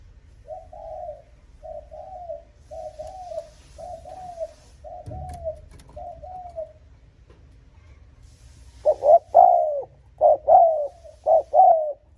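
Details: Spotted dove coos used to provoke and lure rival males: a string of seven soft paired coo notes, then four much louder, fuller phrases of throaty low coos close together.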